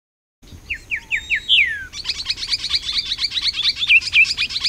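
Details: Grayish saltator in Costa Rica, recorded on a Fujifilm XH1 camera: a few short rising notes, then a long descending slurred whistle, followed by a fast, steady run of high chirps to the end.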